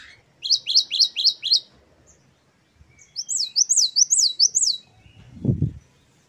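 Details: Great tit, called gelatik batu locally, singing in the wucit-wucit style on a tutor recording for cage birds. Bright high two-note phrases are repeated five times, then after a pause come four rising-and-falling whistled notes, followed by a soft low thump.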